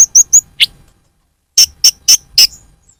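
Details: Purple-throated sunbird (kolibri ninja) lure call for attracting birds: a few sharp, very high chips, a short pause, then four more spaced high notes.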